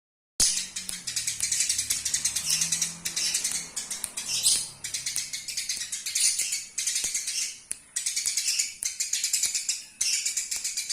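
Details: Eurasian tree sparrow in a local master recording for training birds: dense, high chattering chirps in rapid bursts, each swelling then breaking off, with faint low tones underneath during the first few seconds.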